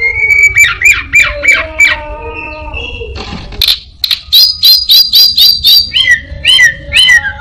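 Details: Orange-headed thrush copying other birds: a series of rhythmic whistled notes, a brief pause, then a quick run of about ten repeated bright chirps and rising whistles.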